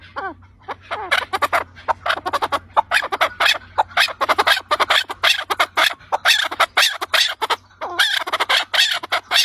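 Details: Chukar partridge giving a long, rapid series of harsh, clucking chuk notes that build into dense, rhythmic bursts, with a faint low hum in the background.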